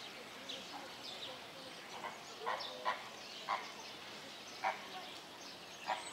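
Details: Captive greater flamingo at Opole Zoo uttering clipped, nasal honks that repeat roughly every half second to one second, about seven in all, over a steady hiss of background noise.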